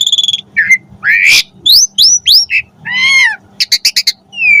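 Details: Asian pied starling singing a varied song meant for tutoring captive starlings: short sharp clicks, a rising harsh squawk, slurred whistles, a nasal drawn-out note and rapid ticking bursts, with a faint steady hum underneath.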